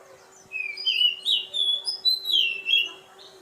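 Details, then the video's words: Continuous melodious warbling from an Oriental magpie-robin: linked whistled phrases that rise and fall, clear and bright, with a low background hum. "Suara asli kacer poci"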